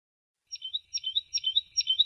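A tit sings a quick run of thin, high, sweet notes in short phrases about every half second, against a quiet, clean background.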